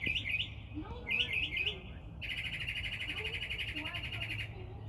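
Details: Unidentified bird singing every morning in a tree, heard at morning time: short high chirped phrases in quick clusters, then a long steady buzzy trill, with low hum underneath and a man talking nearby.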